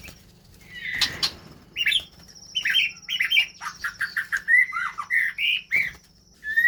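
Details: White-rumped shamas in the early stage of breeding pairing in captivity: a burst of wing flapping, then a busy sequence of short chirps, warbled whistles and squawky notes in quick succession, over a faint steady electrical hum.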